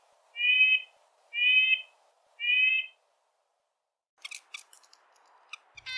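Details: A male red-breasted nuthatch in the boreal forest claims his territory with three nasal, tinny yank notes about one per second, followed by scattered clicks and scratchy rustling.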